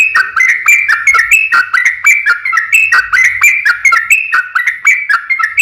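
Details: Ropel panjang, a long rapid song of a yellow-vented bulbul used as a lure to make other bulbuls sing: an unbroken stream of warbled, liquid whistles swinging between higher and lower notes.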